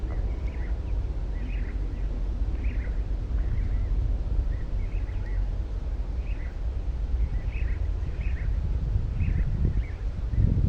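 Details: Chilean Swallow at Laguna María la Gorda reserve, Río Gallegos, Santa Cruz, Patagonia, Argentina, giving short, thin chirps about once a second, faint over a steady low rumble of wind or distant traffic.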